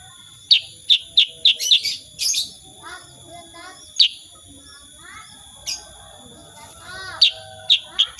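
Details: Sooty-headed bulbul in full song, unedited recording, in the rapid 'tembakan' shooting style: sharp high chips fired in quick bursts, then scattered notes and softer chattering, with a steady high electronic whine throughout.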